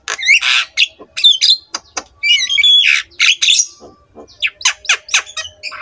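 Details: Javan myna in energetic song used as a master recording to stir lazy mynas into singing: harsh squawks, buzzy chatter and bright whistled slurs in quick bursts, with a clear rising whistle near the middle.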